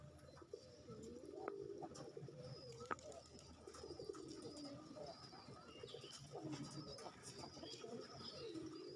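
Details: Several Bangladeshi racing pigeons (Columba livia domestica) coo together in low, throaty, rolling phrases that overlap continuously.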